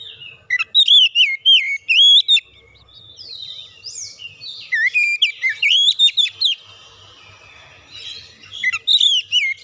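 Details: Oriental magpie-robin lure song to draw out other birds' singing: repeated bouts of rich, varied whistling with looping slurs and sharp chips, broken by short pauses, over a faint low hum.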